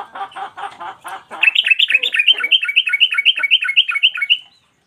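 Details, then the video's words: Yellow-vented bulbul (trucukan) in full song, a master recording for cage birds: harsh chattering notes give way to a fast series of clear, bubbling whistled notes, rapidly repeated, ending abruptly in silence. "Trucukan gacor mbandul satu lagu main ekor dan Garuda cocok buat masteran"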